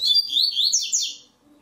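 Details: Coleiro (double-collared seedeater) competing in a web singing tournament: one fast phrase of clear high whistles sliding up and down, about a second long, then quiet.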